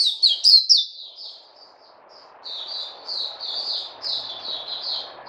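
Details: Caged white-eye (puteh) fed fruit, 29 August 2020: a few loud sharp chirps open, then quieter high slurred warbling notes continue over a low broad hum.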